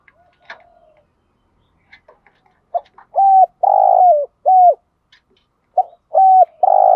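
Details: Spotted dove using 'thúc gù' urging coos to lure wild doves: a few faint clicks and chirps, then two series of deep hollow coos, each with a long burred middle note that falls away.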